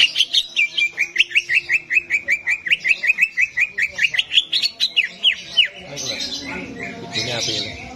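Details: Greater green leafbird in a simulated contest arena setting: about two dozen quick, bright whistled notes in steady succession, then a jumble of mixed bird chatter and noise.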